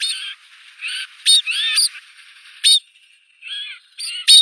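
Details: Harsh, nasal, wheezy calls of a white-winged snowfinch, some sliding up and down, broken by sharp clicking notes and short pauses.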